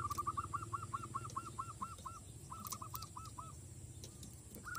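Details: Zebra dove, a village-kept decoy used to lure wild doves into aggression, giving a long run of rapid hooked cooing notes, about two per second, with a short pause midway, over a steady low engine-like hum.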